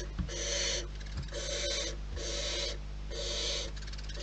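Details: At a wild barn owl nest, four rasping hiss bursts follow one another about once a second, each lasting close to half a second, with a faint low background drone.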